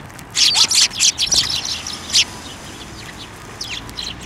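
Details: Sparrows at a Tenmangu shrine, 28 December 2023, coming to a hand to be fed; a busy run of loud, bright chirps in fast succession, then a pause and a few softer chirps at the end.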